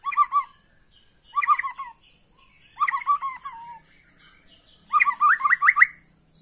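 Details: White-rumped shama song used as a lure to make a caged bird sing hard and show its full repertoire: four short bursts of quick, rich whistled notes roughly every one and a half seconds, the last ending in rising slurred whistles, with quiet gaps between.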